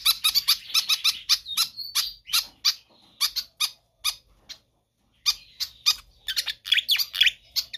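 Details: Pied fantail in full, persistent song, presented as a training or lure track for other birds: rapid bursts of sharp, high chirps and squeaky notes in quick runs, with a brief pause mid-sequence before the chatter resumes.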